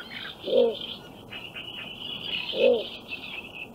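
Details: In Central Russia, a Little Bittern gives two deep, short, gruff croaks about two seconds apart, over a steady high trilling of insects or distant birds.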